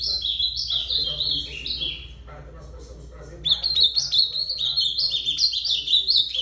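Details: Two phrases of ultramarine grosbeak song: a descending series of clear warbled notes, then after a lull a longer, rapid, bouncing run of bright notes.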